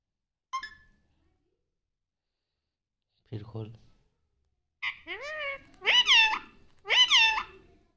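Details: Talking pet parrot taught "mummy papa": a brief chirp, a low human murmur, then three nasal, harmonic, voice-like phrases, each dropping then levelling, roughly one second apart, in a quiet room.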